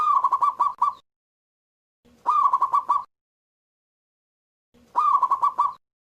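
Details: A local Zebra Dove in lively song, big-voiced: three phrases of fast, rolling cooing notes, about six to eight pulses each, repeated roughly every two and a half seconds.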